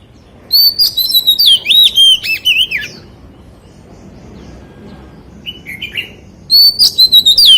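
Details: Chòe than, the white-rumped shama, singing giọng rừng forest-voice song: rich phrases of looping, rising and falling whistles for two seconds, a lull with a soft note, then another bright stuttered run, over low rumbling noise.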